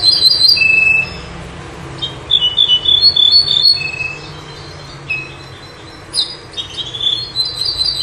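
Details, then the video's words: A Bouh bird sings clear, high whistled and trilled phrases in quick bursts with short pauses, over a faint low rumble; song used for tutoring goldfinches. "تغريد طائر البوح"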